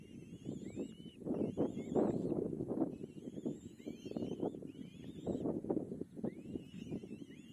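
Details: Begging kite chick fed by its mother: repeated high wavering whistles, some looping up and down, in clusters over constant low rumbling noise.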